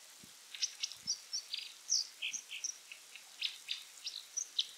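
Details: Wild Brown Dipper (Cinclus pallasii) in Japan in late November, singing persistently to assert its territory: a rapid, varied string of high, bright chirps and short trills, notes tumbling in quick succession with a few low thumps.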